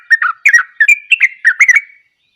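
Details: Yellow-vented bulbul singing energetically: a bubbly, warbled phrase of quick liquid notes rising and falling, in four short groups over two seconds, then silence.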